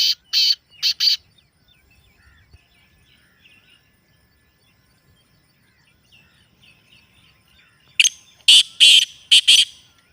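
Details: Black francolin calls, recorded naturally to make captive francolins call: a partial three-note burst, a quiet gap of about seven seconds with faint chirps, then a full harsh five-note phrase.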